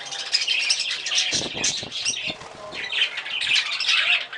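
Budgerigars chatter with dense, high warbles, squeaks and chirps, along with soft wing flutters.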